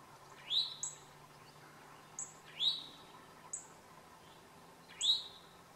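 A towhee gives a rising, slurred call note about every two seconds, with thin, very high chips between them over a faint steady hum.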